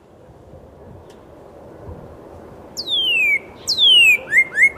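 A Northern Cardinal gives two loud, clear whistles slurring steeply downward, then a quicker run of short down-slurred notes, over a low steady rumble.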